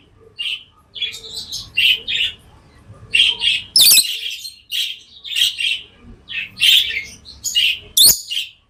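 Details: Pet lovebirds chirping: bursts of shrill, high, squeaky chirps in clusters of two or three, about one each half second, with a louder sharp click near four seconds and another near eight seconds.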